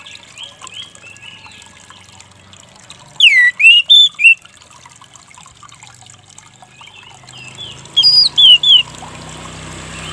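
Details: Orange-headed thrush song for coaxing a stressed, silent bird to sing again. Two bursts of four loud, twisting whistled notes are separated by several seconds of quiet twittering over running, trickling water.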